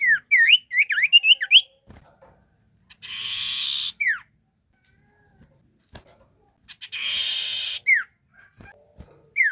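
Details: Sirtu bird in full lively song used as a lure to make other sirtu answer: bright whistled notes rising and falling in quick bursts, then two long harsh hissing buzzes, each closed by a sharp falling whistle.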